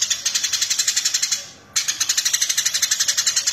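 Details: Eurasian tree sparrow master recording for teaching cage birds: rapid run of sharp high chirps, roughly four per second, broken by a short abrupt silence midway before the chirping resumes just as quickly.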